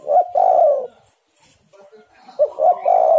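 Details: Spotted dove call for attracting birds: a loud stuttering coo that rolls on for half a second, a brief silence, then the same husky phrase again.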